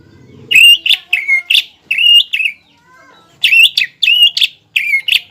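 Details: Greater green leafbird singing hard to rouse a rival's breeding excitement: loud, rich whistled phrases with rising and falling slurs in two bursts separated by a brief gap, with a low rumble at the start.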